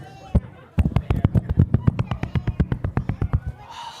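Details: Ruffed grouse drumming in deep woods: a male on a log gives its mating display with his wings, a quick run of deep, hollow thumps about four a second, pounding like a distant motorcycle before fading out.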